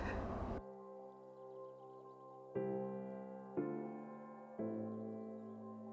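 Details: Soft piano-like music with sustained chords struck about once a second, after a short burst of noise at the start; no animal sound is heard.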